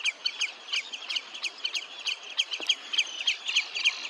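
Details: At Olafsvik, Iceland, on 15 June 2024, a red-necked phalarope gives a fast run of short, high twittering chips, roughly three to four each second.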